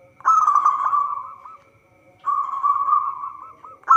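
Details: Zebra dove of local stock singing as a lure for trapping: two long, steady, vibrating rolling coos separated by a short pause, each ending in small hooked flicks.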